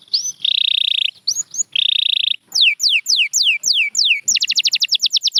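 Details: Singing canary: two long buzzy trills, each introduced by a rising chirp, then a series of clear, steeply falling whistles. The phrase ends in a quick, rattling run of short notes.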